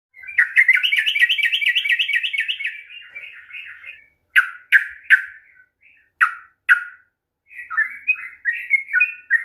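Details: Sooty-headed bulbul song for provoking a reluctant bird to sing: a fast rattling run of bright notes for about two and a half seconds, then short separate phrases, then more quick warbled notes.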